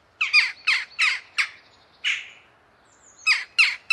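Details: Jackdaw close up, giving a rapid series of loud, metallic 'tchak' calls, one longer drawn-out note in the middle, then another quick burst of sharp calls.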